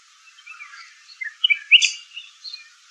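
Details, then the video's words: Red-whiskered bulbul calling with a few soft scattered notes building to one loud, sharp, rising whistle followed by a brief burst of chatter. "Red whiskered Bulbul bird"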